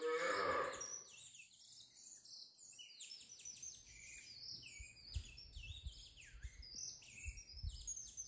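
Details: Caged saffron finch, known locally as canario criollo, flapping its wings while singing: a rapid run of high, bright chirps and short downslurred notes. A brief low, moaning sound opens the recording, then steady background hum.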